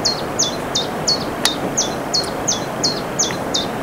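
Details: A bird sings high, sharp, down-slurred chips about three times a second, steady and unhurried, outside a cabin one morning, over a soft outdoor hiss with one brief click.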